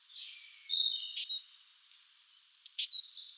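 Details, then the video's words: Eurasian siskin calling: faint, thin, high notes, a few brief sharp chirps and drawn-out whistles that slide downward, spread across a few seconds in a quiet outdoor setting. "Чиж (Spinus spinus), Eurasian siskin. Голос птаха, the voice of a bird."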